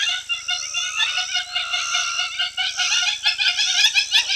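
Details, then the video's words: Very noisy Hamerkops in the background at a lodge hide in Olkirimatian Conservancy, South Rift Valley, Kenya, give a fast, excited jumble of nasal, yipping notes without pause, over a steady high insect hiss. "very noisy Hamerkop in the background"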